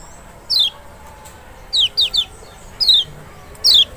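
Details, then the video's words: Lemon-bellied white-eye, large Lombok or Sumbawa form Zosterops chloris maxi, in a special lure track for reluctant singers; seven high downslurred whistles, including a rapid cluster of three, then two more spaced notes. "panciangan sepesial Kecial malas bunyi nggak mungkin nggak respon"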